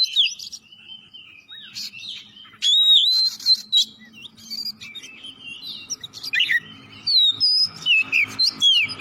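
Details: Oriental magpie-robin in vigorous full song, played as a lure to get other magpie-robins singing: varied clear whistled phrases, high slurred notes and quick chirps, with louder bursts in the second half.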